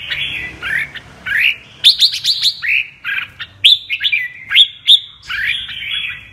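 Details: Red-whiskered bulbul ('mơ' bird) singing double-voice 'giọng kép' song: slurred whistles building to rapid chirp bursts and ringing, rising notes, with a man's voice afterward.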